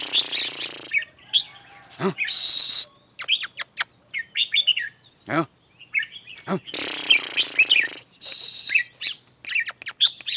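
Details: Red-whiskered bulbul chirping and whistling in irregular short phrases of sharp, bright notes, interrupted several times by loud hissing noise bursts and brief low calls.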